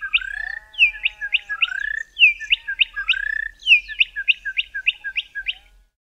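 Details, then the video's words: A Bokmakierie pair duets in the southern Karoo, South Africa: low, rising whistles are answered at once by quick bursts of four to six bright, ringing notes, in tight back-and-forth phrases. "BOKMAKIERIE pair duetting"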